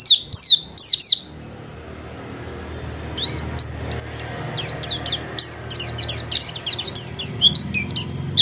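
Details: Pleci, a white-eye kept at home and singing actively: two loud high twittering bursts, a short silence, then a long run of quick, sharp, high-pitched chirps and squeaky notes in irregular succession.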